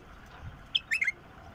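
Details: Wild bulbul delivering a single compact phrase of a clear high whistle and three tumbling, liquid warbled notes, quiet otherwise.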